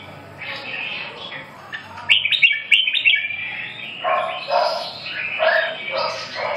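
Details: Red-whiskered bulbul song: a run of quick high chirps followed by fuller, lower warbled phrases repeated in a loose rhythm of about one phrase per second.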